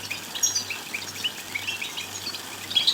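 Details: European goldfinch twittering, played to stimulate other goldfinches to sing. High, thin chirps and short trills overlap densely with a few sharper whistled notes, over a low steady hum that cuts in and out.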